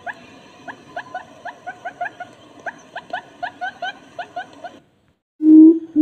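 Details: Barred buttonquail: a quick series of short, nasal, harmonic notes, several each second, then a brief pause and a loud low hooting tone; a lure call said to attract both males and females.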